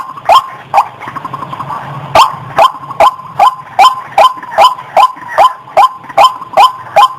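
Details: Clear white-breasted waterhen call used as a lure: two croaking notes, a brief pause with low murmur, then about fifteen rasping notes repeated in a steady, insistent rhythm of roughly two and a half per second.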